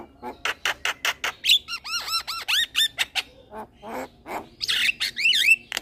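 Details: Singing young male Javan myna kept as a cage bird, head bobbing. Series of clipped squawks, then a run of arched whistled notes sweeping up and down, ending in a harsh rasp and a wavering whistle.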